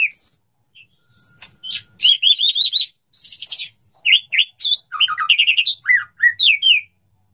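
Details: Courting male white-rumped shama calling a female to mate, delivering bursts of rapid trilled notes, sweeping whistles and buzzy rattles separated by short pauses.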